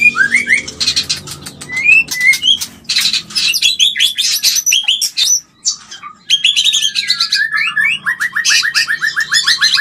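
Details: White-rumped shama mating call meant to stimulate mating: rich whistled phrases and harsh buzzes, a brief pause, then a fast even run of repeated descending notes.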